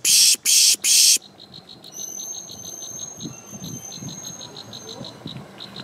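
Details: Plain prinia (Prinia inornata herberti) recorded in Samut Prakan, Thailand, 4 October 2018: three rasping buzzes in quick succession, then a faint run of rapid ticking notes with a thin steady high whine behind.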